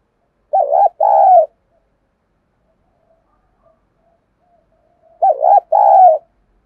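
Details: Caged decoy spotted dove, voice style 'giọng thổ', calling to lure wild doves: two identical phrases, each a warbling short coo and a longer even coo, about four and a half seconds apart.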